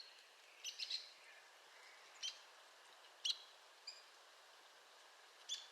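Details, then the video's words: Arizona woodpecker giving scattered short, sharp high calls, a quick double note near the start, then single notes spaced one to two seconds apart against soft background hiss. "Arizona Woodpecker Bird Sound"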